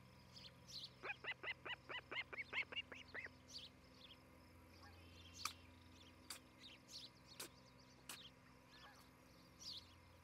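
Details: Osprey nesting at Charlo, Montana, captured by nest camera on the morning of 11 July 2018; a rapid series of about ten chirped whistles, then sparse clicks and sharp knocks against a low steady hum.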